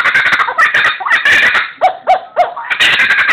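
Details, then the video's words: A captive laughing kookaburra at a wildlife zoo gives its raucous, cackling laugh: rapid chuckling bursts, then a few lower rising-and-falling hoots, then loud chattering again. "laughing kookaburra"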